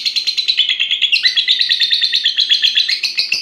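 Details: A young fighter lovebird, six and a half months old and kept for singing competitions, gives a rapid, buzzy, pulsing chatter of high notes, with a short lower rising note around the one-second mark.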